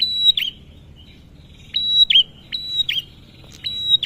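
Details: Male bar-winged prinia, recorded as a lure to prompt other birds to call: repeated high, sharp phrases of a steady whistle ending in a snapping downslurred note, with a faint buzzy trill between bursts.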